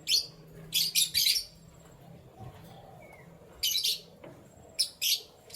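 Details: Canary chirping in the morning, with quick clusters of three sharp, high chirps, long quiet gaps, then two more groups of high notes near the end.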